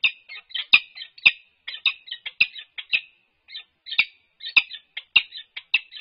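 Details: Resident peregrine falcons at UC Berkeley, 4 March 2022, head bowing and scraping at the nest ledge in courtship, giving rapid strings of raspy, chipping notes roughly a hundred per minute, loud accented chips among softer chatter, no other sounds.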